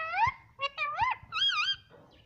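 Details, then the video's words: Pet green parrot, ring-necked type, kept indoors, imitating speech: a few wavering, voice-like syllables with rising and falling tones, like short spoken words, in a quiet room. "parrot Hindi talking || mummy miithhu voice"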